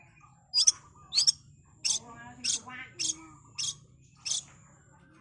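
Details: Cendet, the long-tailed shrike, singing fast and steadily: a string of about seven sharp, high, clipped notes spaced half a second apart, with faint low chattering between them.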